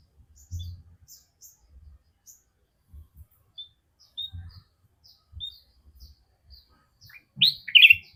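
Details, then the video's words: Sooty-headed bulbul giving an unusual call: soft, scattered high chirps and short whistled notes for several seconds, ending in a loud, harsh burst of two tumbling notes, with faint low thumps beneath. "Kutilang emas dengan suara anehnya"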